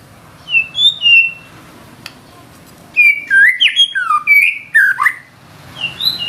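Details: White-rumped shama singing isian in nembak manner: separate clear whistled notes, then a dense cluster of swooping, slurred whistles rising and falling, with a faint hum beneath.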